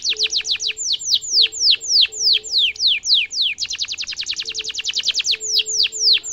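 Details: Domestic canary singing a varied, ornate song used to train younger and adult canaries: repeated falling sweeps that speed into a rapid rattle, then slow again, with a soft low hum beneath.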